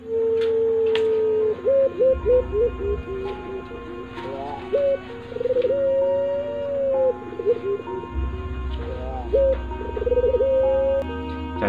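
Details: Barbary dove (pelung type, Streptopelia risoria) with a faulty coo: low, hollow coos with a choppy middle, the long note broken into short stuttering pieces before steadying, over a steady background hum and music.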